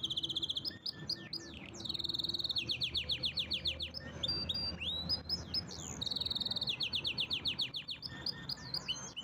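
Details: Canary pouring out vigorous song: high rolling trills alternate with quick series of downslurred chirps and sweeping whistles, nearly continuous, loud and varied, with faint low room hum beneath.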